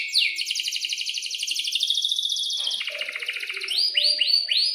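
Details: Long rolling canary song for training young canaries to sing and reply, an extended fast trill shifting pitch midway, ending in repeated rising sweeps, with faint lower chirps behind.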